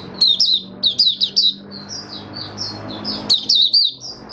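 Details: Oriental white-eye kept in a cage, singing bright, high, rapid chirps in tight groups, then thinner sliding whistled notes before another quick burst, with faint low hum behind.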